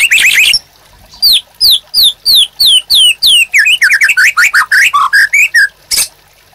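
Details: White-rumped shama used as a master recording for caged birds: a dense burst, then a steady series of downslurred whistles about three per second, turning into quicker, varied warbled notes.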